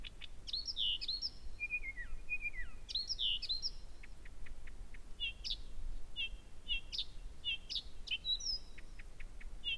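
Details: Blyth's reed warbler singing at 1 a.m. on 15 June 2014 at Gerå Engvej, Denmark, singing constantly and very loudly: varied phrases of sharp whistled notes and slurred falling notes, some repeated two or three times, with short pauses between phrases.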